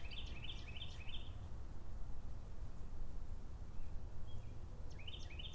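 An American goldfinch gives quick bursts of four thin, bouncy high notes, repeated after a pause, over a steady low rumble of wind or distant traffic.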